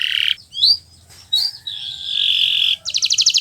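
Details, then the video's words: Kenari Nusantara canary, recorded as a master for teaching birds to sing: nasal buzzy notes, short rising slurs, a drawn-out wavering phrase, then a quick high trill, with a faint low hum underneath. "Suara Burung Gacoran Kenari Nusntara, untuk Masteran Belajar Bunyi"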